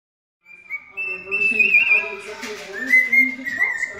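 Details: Cockatiel (Nymphicus hollandicus) named Kiwi serenading a person's foot, whistling clear, sustained notes that hold steady, then drop and climb again, over a faint low murmur like a voice.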